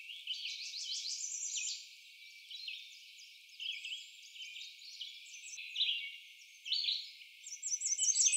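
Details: American Redstart singing at a nesting site in Doodletown: short, clear, high one-section songs of sweet notes, alternating between different song types, with faint background hiss.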